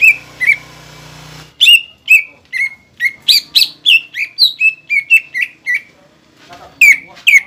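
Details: Cucak ijo lure song for making young and newly caught birds sing. After a short low buzzing hum, the bird delivers a steady series of crisp, downward-sliding whistles, roughly three per second, ending with two louder notes.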